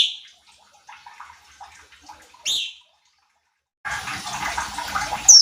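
A Sooty-headed Bulbul gives a few short, bright, clear notes. Splashing water, like a bird bathing, takes over the second half.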